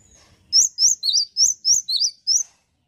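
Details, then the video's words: Male cinereous tit in full song, Indonesia: seven loud, clear whistled notes in quick succession, swinging between a higher and a slightly lower pitch like a repeated two-syllable phrase, with faint low rustling before it starts. "PECINTA GELATIK BATU PASTI SUKA...GACOR BAGUS PEJANTAN YANG KEREN"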